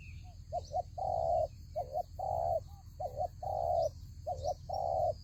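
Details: Trap decoy spotted dove cooing steadily: a short wavering double note, then a sustained mellow coo, repeated four times in quick succession, with a continuous insect buzz and a few thin chirps in the background.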